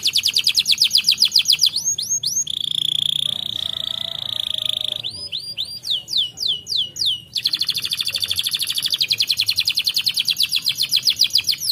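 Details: Canary singing: rapid pulsed trills, then sweeping whistled notes, a steady sustained whistle and a run of upward-sliding chips, before a long fast trill resumes; a quiet low rumble sits beneath.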